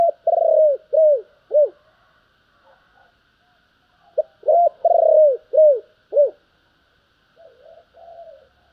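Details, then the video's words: Spotted dove giving thúc and gáy gọi coos: a phrase of curved, husky notes, a long one followed by shorter ones, repeated after a pause. Soft muffled murmurs trail off at the end over a faint background hum. "tiếng cu gáy Thúc và gáy gọi"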